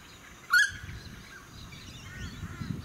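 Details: Noisy friarbird (Philemon corniculatus) in a suburban area of the Sunshine Coast, Queensland, in May 2018: one loud, harsh, brief call with a nasal tone, then softer background birdsong, wind and low suburban rumble.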